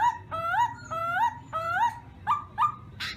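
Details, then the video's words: Black-throated laughingthrush singing in the morning during voice training: a series of loud, clear whistled phrases, each a low note sliding up into a rising, slightly wavering whistle, repeated about every third of a second, ending in a sharper, higher burst. "Khướu mun hót luyện giọng . Khướu hót sáng luyện giọng kích bổi"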